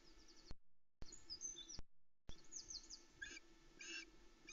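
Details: Osprey chicks alone on their nest at Loch Arkaig, 16 July 2020, just before 05:42, squeaking with excitement as the male flies in with a large trout. Faint high, thin chirps and a few short harsher bursts over steady low hum, with brief dropouts.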